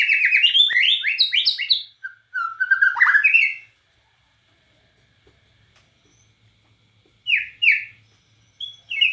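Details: White-rumped shama of Borneo, a murai batu, in full gacor singing with nembak cililin bursts: rapid run of rising whistled notes, then warbled phrases, a pause of several seconds, and further paired whistles near the end.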